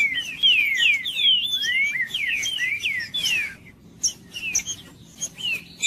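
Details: Rapid run of loud whistled downslurred notes from a green-winged saltator, sung to stir up another bird, then a pause and a few softer sharp notes near the end.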